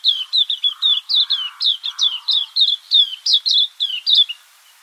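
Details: Cape white-eye, a small yellow garden bird, giving a rapid run of high, sweet chirped notes, each dropping slightly, about four per second for nearly five seconds; softer lower warbles underneath early on.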